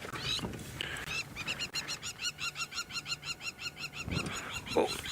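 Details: Lapwing alarm calling near an airstrip at sunset, very upset by passing lions, possibly with a nest nearby. Rapid series of sharp, regularly repeated notes, about four per second, with vehicle rumble and a few low sounds.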